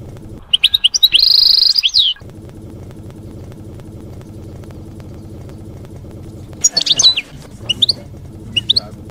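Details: European goldfinch singing in the wild 'campero' field style, used for tutoring young goldfinches: two bursts of high tinkling, twittering notes, one near the start and another after a pause, over a steady low engine-like rumble.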